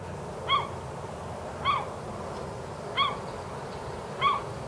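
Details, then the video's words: A gull in Humboldt, California, barks like a dog, short harsh calls roughly every 1.2 seconds, each with a quick rising inflection, over a low background hum. "Seagull bird barking like a dog"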